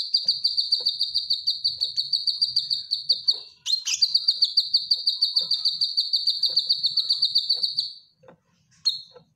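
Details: Caged cucak kinoy bulbul delivering an energetic training song. A long, steady, fast high trill runs nearly four seconds, breaks with a harsh note, then resumes for four more seconds. A short clipped trill ends the phrase.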